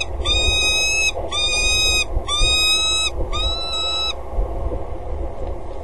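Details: Female peregrine falcon calling from a water tower gutter in Axel on a February 2013 morning, just before mating: four even, grating, wailing calls about one per second, then the calling stops, leaving faint low rumble.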